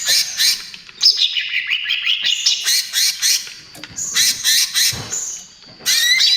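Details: Greater green leafbird, 'trotol' form, singing loudly as a lure and therapy sound for other birds: harsh squeaky bursts mixed with wavering high whistles in short separated phrases, a few pauses between outbursts.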